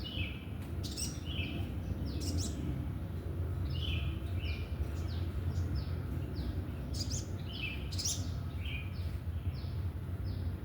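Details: Free-living sooty-headed bulbul returning repeatedly, seemingly wanting to be lured: series of clear falling whistled notes, several phrases close together, set against heavy low-pitched background rumble.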